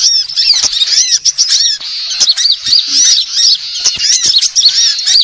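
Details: High-pitched sunbird chatter used as a bird lure: continuous squeaky twittering with curved whistled notes repeated in quick succession, loud and dense throughout, a faint low click near the middle.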